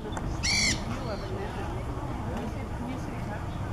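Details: A Nanday parakeet eating Australian pine fruit at Turtle Beach gives a single harsh, grating screech lasting under half a second, with a low background rumble and faint human voices.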